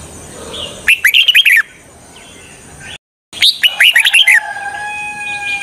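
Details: Red-whiskered bulbul singing as a trapping decoy for wild birds; two quick warbling phrases of rapid chirpy notes, then a brief cut, with a thin steady tone trailing at the end.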